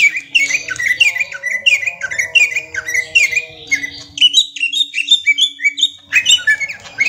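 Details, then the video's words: Ngentrok singing from a young greater green leafbird: long series of quick rising whistles repeated steadily, a brief lull, then a fresh burst of loud sweeping notes, with a faint low hum behind. "Cucak Ijo Balita Doyan Ngentrok"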